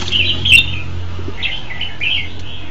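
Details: Red-whiskered bulbul song recorded in 2015: bubbly whistled phrases, a quick slurred opening, then a run of short rising and falling notes after a brief pause, over a steady low hum.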